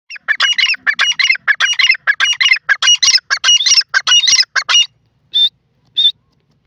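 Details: Grey francolin, locally called dakhni or desi teetar, giving a loud, harsh, rapid series of scratchy repeated notes for nearly five seconds, then two short clearer notes after a pause; no other sounds.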